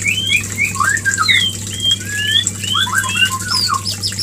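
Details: White-rumped shama mating call for triggering breeding: smooth rising and falling whistles in a flowing sequence, ending in a cluster of quick slurred notes; steady hum behind.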